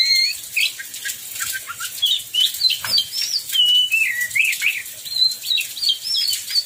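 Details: Oriental magpie-robin singing during heavy rain, a recording meant to prompt other magpie-robins to sing: thin whistled phrases rising and falling, twisting and warbled, over a constant hiss of pouring rain.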